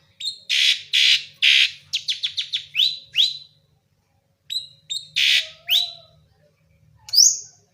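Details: Clear isian filler song of a Javanese long-tailed shrike: harsh rasping bursts and quick falling whistled notes in short phrases, separated by a silent gap, ending with a single upslurred squeal.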